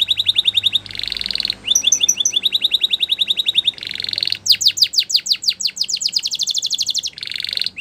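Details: Singing canary for training: alternating buzzy trills and ringing repeated notes, then a long run of quick descending chirps, with faint low hum beneath.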